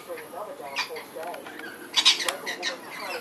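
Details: Young lorikeets playing and frolicking in a garden during a morning feeding visit on 3 March 2011 give harsh, screechy squawks and shrill chatters in bursts, while a man talks softly in the background.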